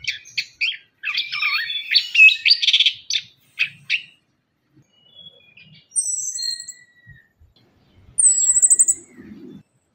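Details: Lure song of an orange-headed thrush, played to coax quiet birds into singing: a burst of quick varied whistles and chatters, then a pause followed by thin, very high trills and a few sharp notes.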